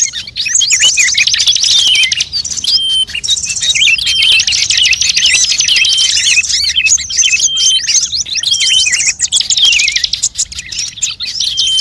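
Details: A lure recording combining calls of many kinds of birds: a dense continuous chorus of high trilling and twittering, short whistled notes and sweeping slurs, steady for the whole stretch.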